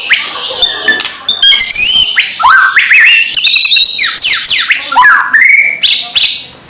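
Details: Provoking kretekan call of a white-rumped shama aimed at rival birds: dense, varied phrases of sweeping up- and down-slurred whistles and harsh chattering notes, delivered rapidly and loudly.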